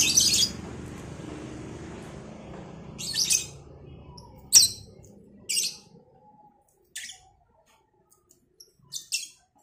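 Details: Lovebirds, a cobalt and a Batman variety, answering each other in the morning after being brought outside for fresh air: sharp, shrill chirp bursts every second or so, with a low background rumble early on, then fading to sparse calls.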